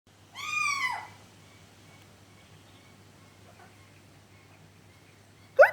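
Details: Pet Alexandrine parakeet kept indoors, chatting with its owner: one loud, harsh, harmonic squawk lasting about half a second, then near silence with a faint hum and a sharp click at the end.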